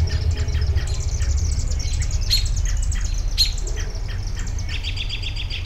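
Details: Birds singing for relaxation; several overlapping high chirps and short trills, with a rapid repeated twitter near the end, over a steady low rumble.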